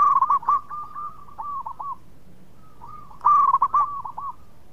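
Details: Melodious local zebra dove, a prolific singer used to prompt others: two loud phrases of fast stuttering coos about three seconds apart, with softer cooing between them from a more distant dove.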